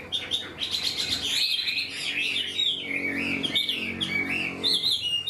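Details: Chinese hwamei, an untamed bird singing readily and completely like a tame one; dense rapid whistled trills give way to looping bent notes, with a low humming background through the middle.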